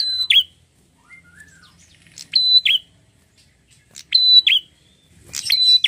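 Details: Prinia described as red-headed, in lively song that prompts other prinias to answer: a sharp high click opens a steady level whistle that drops into a short buzzy note, the phrase repeated about every two seconds, with faint softer chirps between.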